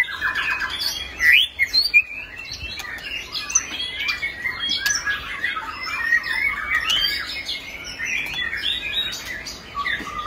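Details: Long-tailed Singapore white-rumped shama pours out a dense, varied stream of high whistles, chirps and harsh squawky notes, phrases tumbling one into the next without pause.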